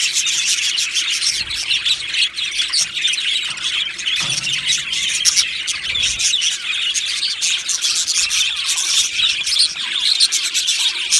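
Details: Many budgerigars in an Australian budgie aviary colony, recorded 15 July 2025, chirp and warble continuously, a busy high twittering mixed with occasional louder squawky notes.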